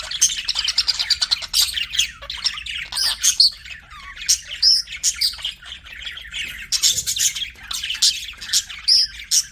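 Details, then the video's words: Budgerigars twittering in a long flow of fast clicking chirps and buzzy warbles, dotted with a few pure whistled notes and short quieter gaps. "BUDGIE CHIRPING SOUNDS"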